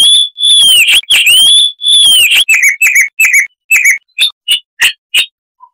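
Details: Chestnut-vented warbler in crisp 'Kristal'-style song. Clear whistled arching slurs come first, then a series of short sharp chirps spaced about a third of a second apart that fade toward the end.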